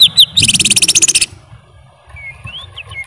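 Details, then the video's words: Greater green leafbird song: a fast burst of rapid buzzy repeated notes high up for about a second, followed by a quiet gap and a few thin sliding whistles. "Suara Burung Cucak ijo"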